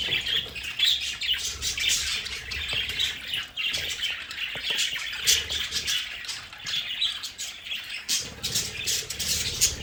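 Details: Pet budgerigars in their home play area keep up a continuous warbling chatter of buzzy, high chirps and squeaks for about ten seconds, with a faint low rumble underneath.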